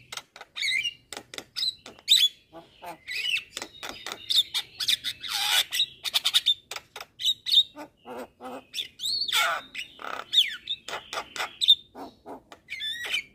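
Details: Javan myna, locally jalak kebo, singing a long, busy masteran song: relentless harsh squawks, clicks, rasps and piercing whistles delivered in quick irregular bursts throughout.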